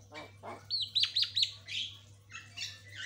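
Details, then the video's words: White-rumped shama, a lure and master recording of birds answering each other quickly: two low, harsh, buzzy notes open, then a quick run of looping high whistles and bright chattering phrases over a steady low hum. "JALBO GACOR"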